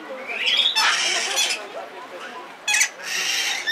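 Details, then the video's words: A red lory at the Belgrade city zoo in Serbia, 2022, gives two rasping, noisy screeches, the first lasting nearly a second and the second shorter, over a steady murmur of background noise. "Papagaj crveni lori│Red Lory│Eos rubra"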